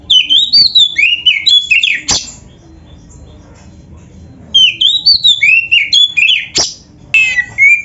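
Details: White-rumped shama in song as a master recording: quick bouncing whistled phrases with sharp clicks, a quiet gap of about two seconds, then the same lively repeated phrases return.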